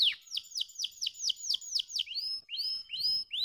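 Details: Canary song for encouraging idle birds to sing. Bright descending notes repeated in a quick even series, changing to shorter rising whistled slurs near the end.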